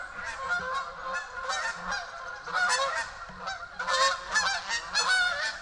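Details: Canada goose flock on the lower pond near beaver ponds, 5 October 2024, flying in: overlapping nasal two-note honks repeated rapidly, with a person laughing briefly.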